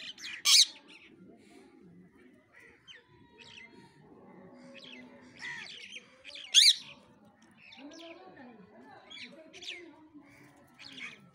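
A parrot gives three loud, harsh squawks spaced several seconds apart, between quieter chattering and a person's voice murmuring in the background.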